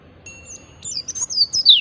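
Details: Ngalas-style oriental white-eye song used to coax caged birds into singing: a thin, steady high whistle opens, then breaks into quick, bright twittering notes that slide downward and grow louder.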